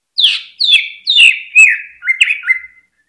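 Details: Greater green leafbird song intended to excite other birds into singing; a series of loud downslurred whistles about two per second, followed by shorter stepped, clipped notes.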